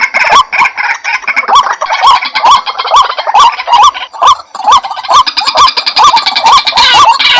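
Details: Lure recording of a White-breasted waterhen, with nasal rising notes repeated roughly twice per second in a fairly regular series and a hissy, layered background beneath the calls.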